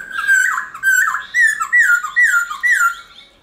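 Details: Black-throated laughingthrush forest-style song, played each morning to stimulate caged birds to sing: loud whistled phrases that slur downward, repeated in quick succession about every half second, with a slightly roomy echo.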